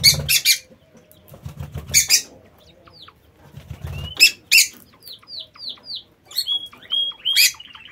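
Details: Lovebirds in a home aviary giving loud, sharp shrieking calls and a series of short downslurred chirps, with wing flapping and rustling between calls.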